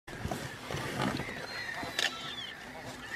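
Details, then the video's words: Chilean flamingos during courtship at Laguna Negra de Trelew, Patagonia, Argentina, in natural sound. Nasal honking calls overlap near the middle pitch range, with a drawn-out, slightly falling note and scattered sharp clicks. "Flamenco austral. (Phoenicopterus chilensis) en cortejo"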